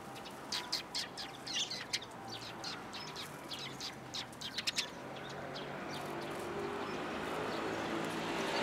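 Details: Several sparrows, one a tailless newcomer, on 13 February 2022 along the way home: a run of quick high chirps, roughly one per second, fading after five seconds into rising rushing wind or traffic noise.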